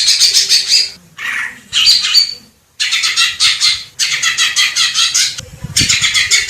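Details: Greater green leafbird recorded in nature in Indonesia delivering repeated phrases of rapid, rasping chatter, each lasting about a second, broken by brief silences.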